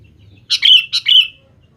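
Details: Sooty-headed bulbul lure song for making young birds respond: a quick pair of bright, bubbly phrases, each a burst of notes running into a clear slurred whistle, all within under a second.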